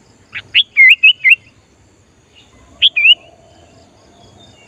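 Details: Sooty-headed bulbul singing to attract wild bulbuls in trapping practice: a lively phrase of four to five quick, liquid whistled notes with dipping and rising turns, then a shorter two-note reply.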